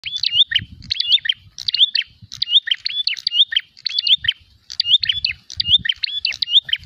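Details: Prinia calling in a fighting mood as it seeks a rival: rapid, high, sharp chirped phrases with quick up-and-down twists, repeated in tight bursts, over faint low rumbling in the background.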